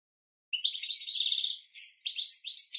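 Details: Training song of a goldfinch for cage birds: after half a second of silence, a dense buzzy trill flows into sweeping downslurred whistles and tinkling notes, with nothing else audible.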